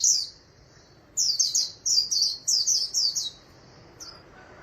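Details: Ornamental white-eye kept as a cage bird, singing in the Vietnamese 'líu' style: high, sweet twittering phrases made of quick descending notes, a short opening burst, then rapid chains of slurred chirps after a pause; quiet background.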